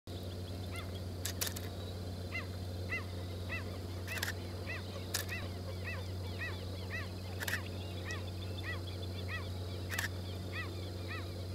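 Crested Doradito giving short, arched chip notes repeated about twice a second, over a steady low hum with a few sharp clicks.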